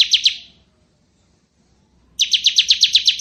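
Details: Bar-winged prinia (ciblek kristal) in ngebren song: the tail of a high rapid phrase, nearly two seconds of quiet, then a new burst of eight quick, sharp notes.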